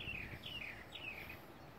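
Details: Migrating whooping cranes heard in flight over Texas: three short, downslurred calls, faint and distant, over a low background rumble.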